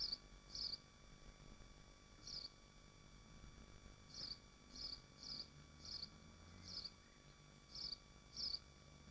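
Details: Swifts nesting in Machynlleth, Dyfi Biosphere, heard at the nest site: nine sharp, thin screeching notes scattered over nine seconds, some in quick pairs, with a gap early on and a soft hum beneath.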